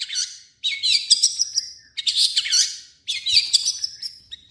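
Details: Long-tailed shrike song with copied calls of other birds: three rich, fast phrases of twisting whistles and scratchy warbles, separated by brief pauses.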